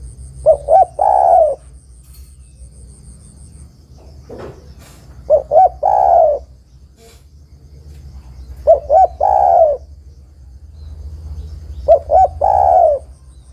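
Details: Female spotted dove calling a male, used as a lure for trapping: four calls about every 3.5 seconds, each two short hooting coos followed by a long, slightly falling croon, over a low steady hum.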